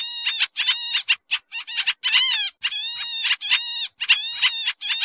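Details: Noisy Sooty-headed bulbul lure call used in bird trapping: rapid, scratchy chattering in tightly packed bursts, some notes sliding downward, with only short breaks between bursts and a clean background.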